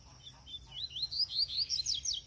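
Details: Double-collared seedeater (coleiro) kept on brachiaria seed: a loud, high warbling phrase of quick rising and falling whistled notes that grows stronger, preceded by a few soft chips, with faint low rumble behind.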